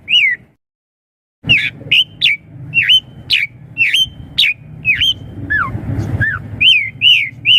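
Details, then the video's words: Asian pied starling singing to lure young birds to respond: after a brief pause, a steady series of looping whistled notes, a couple of descending slurs, with a faint low hum beneath. "Suara Jalak Suren Untuk Pancingan Burung Jalak Suren Muda Agar Cepat Nyaut"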